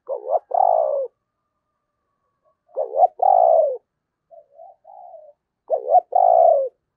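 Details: Spotted dove used as a decoy, 'thổ' style voice. Three gruff coo phrases spaced about three seconds apart, each a stuttering pair of notes then a long, downward-sliding purr, with faint soft murmurs in between.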